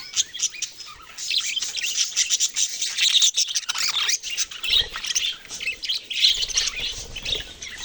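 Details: A busy group of budgerigars chirping, with rapid high twittering and harsh little squawks that overlap constantly, swelling louder and softer in waves.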